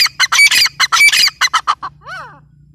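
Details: Female grey francolin giving a fast series of loud, rasping notes that shorten and fade toward the end. The series closes with a softer, arched, rising-then-falling note over a low background hum.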